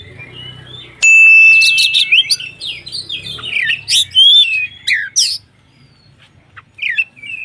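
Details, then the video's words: White-rumped shama singing to rouse other shamas: a sudden loud sustained whistle opens a burst of rapid slurred notes and raspy chips, then quieter scattered whistles after a pause, low hum underneath. "SUARA BURUNG Kacer gacor untuk PANCINGAN KACER agar EMOSI dan KONSLET"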